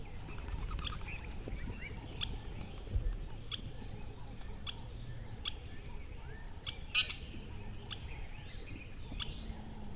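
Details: Birds chirping outdoors: short, high, scattered chirps and brief upward notes repeated every second or so, over a steady low rumble of background noise.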